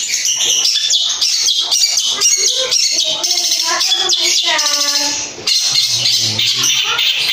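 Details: A long-tailed shrike (cendet), played as a lure to make other shrikes respond, pours out a dense, fast medley of chattering notes and mimicked whistles, with brief rising trills and harsh bursts throughout.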